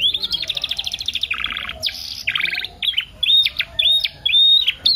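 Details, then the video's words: Canary song used to prompt and tutor singing canaries: a quick pulsing trill, two harsh buzzy bursts, then loud rising whistled notes given in a steady series with short pauses. "PANCINGAN KENARI PAUD FULL ISIAN SUPER ISTIMEWA"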